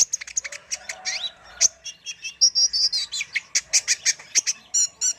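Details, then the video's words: Varied, vigorous singing by a kolibri ninja sunbird for a tutor recording: twisting whistled phrases, buzzy trills and rapid high chirps packed closely together, on a quiet background. "MASTERAN BURUNG KOLIBRI NINJA GACOR ISTIMEWA"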